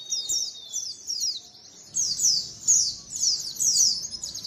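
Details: White-eye colony lure sound: a thin, level whistle at first, then bright, high, buzzy trills and chirps in repeated bursts roughly every half second to second.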